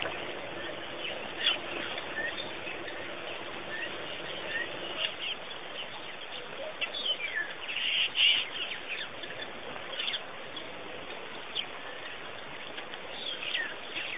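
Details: Birds at Pete's Pond in Botswana, Africa: a dense mix of short chirps and twittering notes overlapping throughout, with several louder sharp calls standing out near the middle, over a constant background hiss.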